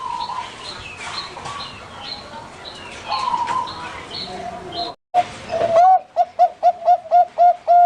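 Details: Bangkok-type zebra dove at a Pamekasan, Madura bird farm; chirps and talking fill the first part, then a quick staccato series of clear coos repeats evenly to the end.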